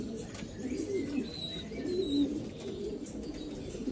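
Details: Black Afghan pigeons in Afghanistan give low, soft cooing notes in short phrases, with faint chirps higher up and a steady background hiss.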